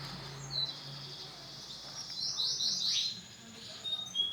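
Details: Male canary of an orange and black colour variety delivering a continuous high warbling song with sustained trilled phrases and rapid chirps, over a soft low hum.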